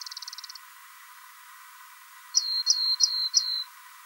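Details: Rock wren with a brief fast trill of high notes, then after a pause four slower, evenly spaced high notes, each a sharp onset sliding into a level whistle.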